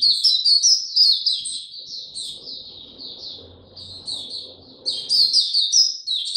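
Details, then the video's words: Oriental white-eye singing slow and easy on 2 May 2022: a fast run of high, bright twitters, a quieter stretch of sparser notes over low noise, then a renewed loud burst of chattering song. "Mata Puteh Hercules buka sing go slow n easy"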